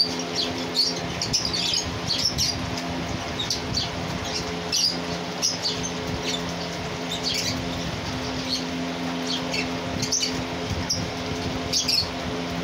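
A cockatiel gives short, bright chirps and squawks in quick bursts over a steady low hum.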